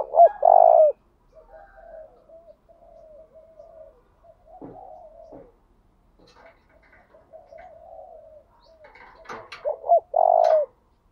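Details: Spotted dove cooing as a decoy to lure and provoke other doves into singing: a loud, low, hollow coo opens, soft quieter cooing murmurs through the middle, then another loud coo near the end, with a few faint clicks.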